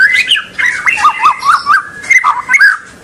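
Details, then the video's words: White-rumped shama song intended to trigger young and juvenile birds to sing: a steady run of bouncing, dipping whistled notes in rapid series, rich and loud, with brief high flourishes. "Kicau super murai batu bikin bakalan dan junior langsung ngentrok dan ngekek panjang"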